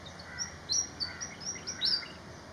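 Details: A Malaysian pied fantail's song: a rapid run of high, clear whistled notes, several slurring upward, packed into about two seconds with a faint background murmur.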